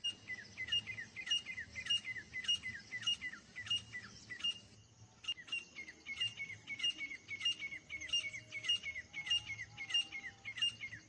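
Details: Two fighting partridges give a long, even string of ringing, downslurred notes at a quick pace, repeated with a short pause midway, over steady background noise.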